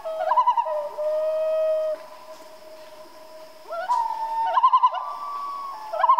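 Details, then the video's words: At night a common loon gives long, sustained wailing notes that break into rapid, wavering tremolo phrases, with a pause and a second sequence of held notes and quavering trills. "Relaxing Loon Call At Night, Common Loon Call"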